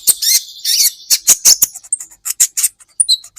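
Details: Brown-throated sunbird (kolibri ninja) song for training songbirds. It gives harsh, buzzy, high chattering bursts, then a series of short, sharp chips with a few thin whistled notes near the end.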